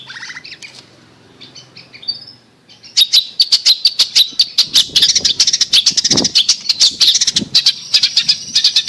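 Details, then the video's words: Long-tailed shrike song, used as a lure to prompt a shrike that has stopped singing. Soft high twittering for three seconds, then a fast, steady run of sharp, high clicking notes with brief lower thuds. "Pancingan Cendet Macet Bunyi"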